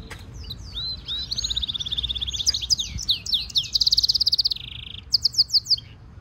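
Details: European goldfinch mule, a hybrid singer used for song training as stimulation song, delivering a long varied warble: quick slurred whistles, a sustained buzzy trill, then a bright rattling run and sharp chipping notes, all high-pitched.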